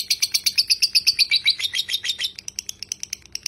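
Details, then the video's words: Lovebird performing a long ngekek chatter, meant as a tutor recording. Loud, rapid shrill chirps descend slightly in pitch, then thin into spaced, clipped high notes. "masteran lovebird ngekek panjang"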